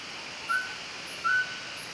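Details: A mountain scops owl at Maokong, Muzha, Taipei, on 4 August 2020 gives two clear, mellow whistled notes about three-quarters of a second apart, against a steady hiss of insects.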